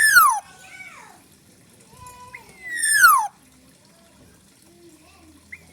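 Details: A wild Black-naped oriole, said to carry abundant fill-in material in its song, gives two loud nasal calls about three seconds apart, each sliding steeply downward. Short soft whistles come between them.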